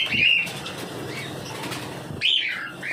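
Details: Cockatiel uttering two brief, slurred chirps, one at the start and one near the end, separated by a stretch of low rustling noise.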